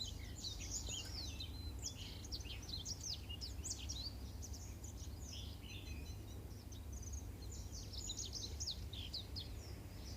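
Black-throated canary song: fast, continuous twittering of short high chirps and trills, over a steady low hum.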